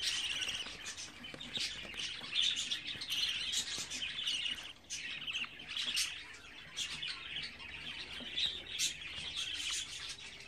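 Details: Budgerigar chicks, 24 days old: continuous high, scratchy chirping and chattering, dense overlapping bursts with short sharper squawks throughout, no other clear sounds.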